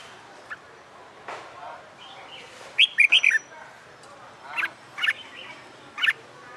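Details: Red-whiskered bulbul caught wild and caged for fighting-song training sings a bright four-note warbled phrase, followed by several separate sharp chirps spaced about half a second apart, with faint other bird sounds behind.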